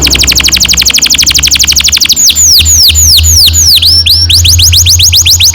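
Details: Canary singing a long roll as a lure for young canaries: a fast, even trill of falling notes about four per second, then slower swooping whistles over a low steady hum.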